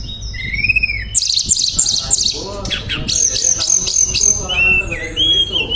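A shortwing sings a lively, varied song: clear rising whistles, then fast high chattering trills and rolling phrases that drop to lower warbled notes.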